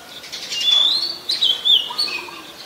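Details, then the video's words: Oriental magpie-robin, a very common resident, singing in Ubon Ratchathani, Thailand, on 14 October 2021: clear, sweet whistled phrases sliding between high notes, with a brief pause and then a second run of warbled, slurred whistles. "นกกางเขนบ้าน Oriental Magpie Robin (singing)"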